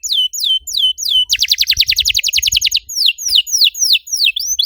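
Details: Canary song used as a lure to prompt other canaries to sing: repeated down-slurred whistles, then a fast buzzy trill of rapid notes, returning to sweeping downward whistled phrases.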